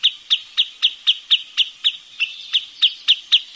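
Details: Wood sandpiper delivering a steady run of about fourteen short, sharp, high piping notes, close to four per second, with little background noise.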